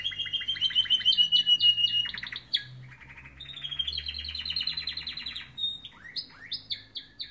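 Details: Canaries singing in the morning: rapid trilled phrases and rolling warbles, shifting between high buzzy rattles and clear whistled runs, with short sweeping notes near the end.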